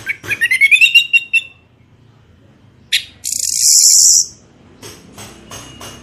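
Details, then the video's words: Orange-headed thrush song played as a lure to make birds sing: a quick rising series of whistled notes, then a sharp note and a loud harsh buzzy burst, followed by faint chipping. "pancingan anis merah gacor ngeplong 100% jitu"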